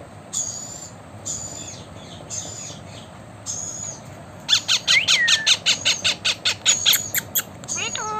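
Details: Blue Indian ringneck parakeet: a few quiet high notes, then a fast, steady series of loud, harsh squawks, roughly two or three per second, ending in a slurred descending call.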